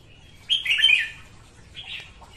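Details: Female red-whiskered bulbul singing in the morning, a recording used to train bulbuls to sing and to lure them to traps; one loud, bright warbled phrase of quick slurred notes, then a softer, shorter phrase about a second later.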